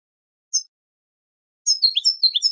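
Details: European goldfinch singing for bird training. A single high note comes first, then after a pause a quick jumble of liquid, twittering and slurred high notes that runs to the end, with a clean silent background.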